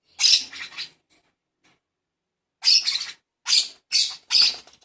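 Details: Baby pet lovebird during hand-feeding gives harsh, raspy high-pitched squawks: a short burst of two, a pause of about one and a half seconds, then four quick grating calls in a row.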